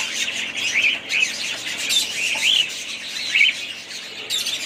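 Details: Budgie group chirping: bright, rapid twittering over a constant high chatter, with several clear upward-sweeping chirps about once a second and occasional scratchy squawks.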